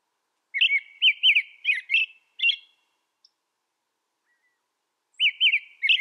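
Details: An American robin recorded in North America delivers five looping whistled phrases about twice a second, falls silent for several seconds, then resumes with three more of the same rising-falling notes.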